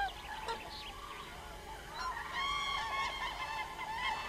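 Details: Common cranes calling, several overlapping trumpeting, honking calls with rich harmonic layers, rising into a louder, denser chorus from about halfway through.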